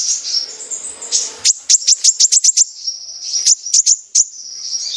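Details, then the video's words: Sunbird (kolibri ninja) singing energetically in full 'besetan' style, played as a lure to draw other sunbirds into song: a thin, high sustained trill, then a quick run of sharp, very high ticking notes, then more trilling. "Pancingan burung Kolibri ninja gacor | full besetan"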